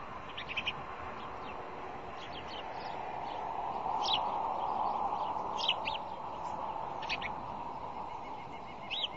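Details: Bald eagle at its nest by the Decorah fish hatchery, Iowa, on a February 1, 2010 morning during nest visits and bowl digging: short high chirps scattered through the recording, several per second at times, over a steady low hum.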